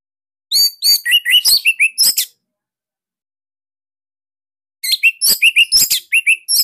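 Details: Caged orange-headed thrush of the Bali type, used as a master for training other thrushes: two dense bursts of loud, tight chirping and whistled notes, each lasting about two seconds, with a quiet gap between them.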